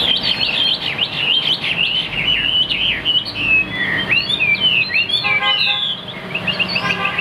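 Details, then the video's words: Caged Chinese hwamei, praised for singing very well, giving a dense, tumbling stream of slurred whistles followed by a short burst of harsher, rattling notes, then more whistling. "Bộ khủng hót cực tốt, đuôi lá vả, hót cao cầu | Họat Họa Mi"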